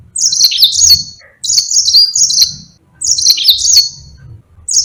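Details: Yellow-fronted canary (Mozambique) in full, active long rolling song, a recording kept for tutoring other birds such as pleci; bright high-pitched twittering phrases with quick sweeping trills, delivered in bursts of about a second and a half with brief pauses, faint low rumble beneath.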